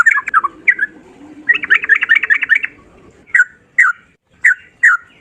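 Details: Sooty-headed bulbul in lively 'ropel' song: a few slurred notes, a dense rapid run of bubbly warbles, then four loud isolated notes spaced about half a second apart, with soft low background murmur.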